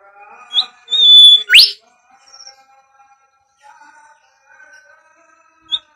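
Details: Whistled Bimoli phrase, a lure for bird training: a brief high chip and a sustained piercing note snapping into a steep upward sweep, followed by quiet low warbling and a final short chip.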